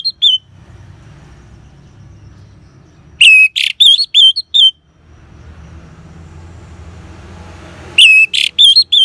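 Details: Orange-headed thrush ngeban song for stimulating caged birds: the tail of one phrase, then two full phrases of a rising whistle, a harsh burst and quick looping whistles, roughly five seconds apart, with low hum between.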